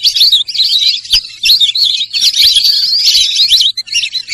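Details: Sarail bird with a lively high warble of looping, whistled slurs strung close together, dipping briefly after half a second and again near the end, plus a sharp click at about one second.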